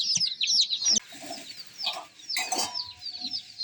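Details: Baby chickens chirping as they move about: a dense flock of thin, high-pitched peeps overlapping rapidly, with soft low thumps and a brief rustle near the middle.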